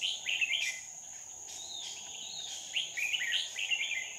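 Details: Red-whiskered bulbul during trapping with a decoy bird on 2 May 2019: lively warbled phrases at the start and again near the end, with softer notes between, over a steady shrill insect hum.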